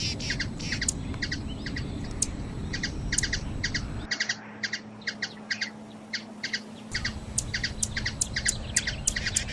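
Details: Hummingbird in Brazil giving rhythmic high chips in doublets and triplets; the low background rumble drops out abruptly midway, leaving the thin squeaky notes clearer for a few seconds before it returns.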